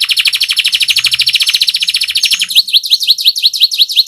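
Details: Rolling canary song recorded for tutoring songbirds: a rapid buzzy roll for about two and a half seconds, switching to a crisp series of repeated upward-slurred whistled notes, roughly four per second.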